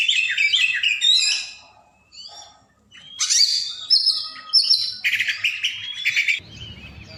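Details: Kacer (oriental magpie-robin) belting out a long training song to provoke lazy birds: whistled and chirping phrases, a short pause, then harsh rasps and sweet sliding whistles, ending in a soft hissing noise.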